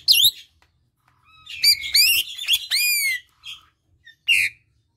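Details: Asian pied starling song, played to draw out birds that have stopped singing. A sharp note, a pause, then a rich string of ringing whistles rising and falling, ending with a few short, isolated calls.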